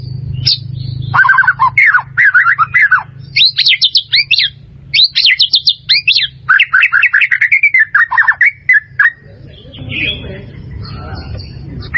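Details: White-rumped shama song for training caged birds: rapid bursts of varied whistles and sharp chipping notes in quick phrases with short pauses, partly fading near the end, over a low steady hum.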